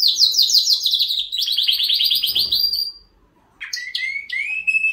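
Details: Canary singing a fast rolling trill that slides gradually lower, then a brief pause and a few bright whistled notes with quick downward sweeps.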